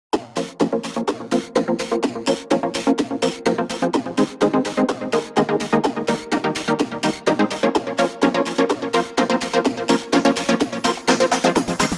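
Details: Steady electronic dance music with a pulsing beat throughout; no animal calls can be picked out.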